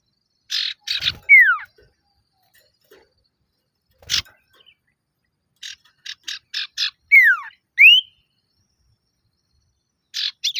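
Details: Male common iora calling actively to lure rivals: buzzy, harsh chattering bursts alternate with loud clear whistles that slide steeply downward, plus one rising whistle, in irregular spaced phrases with quiet gaps between.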